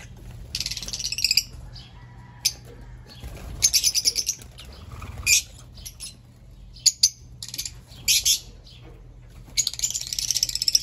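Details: Fischer's lovebirds giving shrill, high-pitched chattering calls in repeated bursts lasting about a second, separated by short pauses, with a faint low hum underneath.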